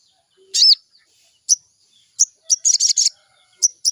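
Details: Sooty-headed bulbul, morning lure recording used to prompt a bird to sing: sharp, high chirped notes given singly, then a quick run of four or five scratchy bursts, followed by two more short chirps.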